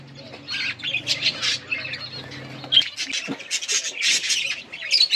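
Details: Budgerigars out in winter rain chatter in squawky, buzzy bursts and short twittering phrases, with irregular gaps. A low hum runs through the first half, then stops.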